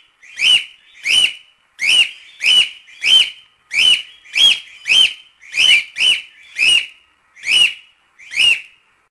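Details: Cockatiel calling steadily: about fourteen loud, arched whistled notes, each rising and dropping, given roughly every half second to second in a regular series.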